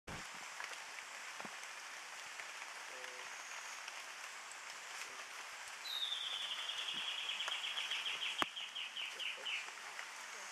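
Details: White-necked puffbird (Notharchus hyperrhynchus) at Las Gaviotas in the Guajira lowlands of Colombia, May 2013: a long, high, thin trill that falls slightly in pitch and slows into separate notes over about four seconds, over faint background hiss.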